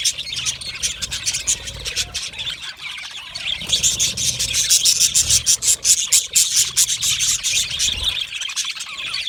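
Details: Budgie colony chirping and chattering, a sound of happy, comfortable birds: thick, unbroken high-pitched twittering with rapid sharp chirps swelling louder midway.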